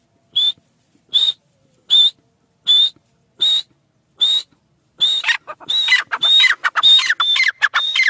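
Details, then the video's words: Francolin giving six evenly spaced, sharp whistled notes about once every three-quarters of a second, then switching to a rapid, raucous series of scratchy, descending phrases. "teetar ki awaz"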